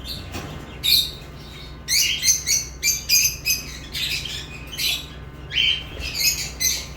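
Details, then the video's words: Quick run of sharp lovebird chirps, short bright notes repeated several times a second, some with a brief whistled tone, over low electrical hum. "Love birds chirping sounds"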